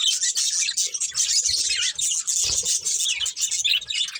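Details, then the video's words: Colourful budgerigars, a breeding pair, chattering steadily with dense, scratchy high chirps and warbles that run almost without pause, with brief dips in loudness. "Colourful Budgies Chirping Sounds"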